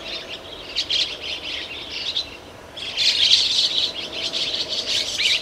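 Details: Young chestnut-cheeked starlings in a garden in the morning: dense, harsh, high chirping in rapid bursts, a brief pause near the middle, then louder scratchy chatter resuming and continuing to the end.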